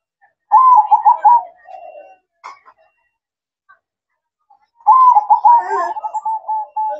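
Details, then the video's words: Zebra dove manggung at night: a burst of trilled, bubbling coos, then a quiet pause and a second, longer rolling phrase that fades at the end. "Suara Merdu Perkutut Manggung Di Malam Hari"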